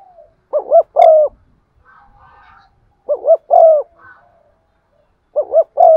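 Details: Cu gáy lure dove in 'giọng son' style, cooing to provoke other doves: three phrases about two and a half seconds apart, each a pair of quick rising-falling coos then a long, smooth descending note, with faint murmurs between.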